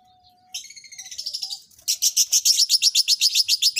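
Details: Lovebirds being paired for mating: a short whistle, then a fast, harsh, buzzy chatter that climbs into loud rapid trills, pulsing about four times a second.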